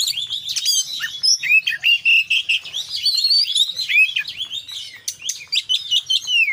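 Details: Oriental magpie-robin, kacer, singing 'full isian' in the 'konslet' manner. Continuous fast chirps, clicking rattles and looping whistled slurs run together in an unbroken, busy stream.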